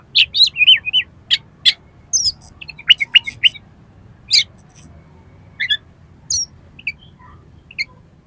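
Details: Oriental magpie-robin in 'miuntah' fill song for provoking competition birds: a rapid run of chips and short twisting whistles, thinning to scattered single high notes with long gaps.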